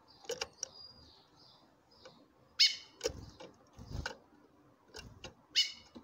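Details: Female chestnut-bellied seed finch, kept to call a male, gives two piercing harmonic call notes three seconds apart, mixed with dry clicks, knocks and soft whistled fragments in the background.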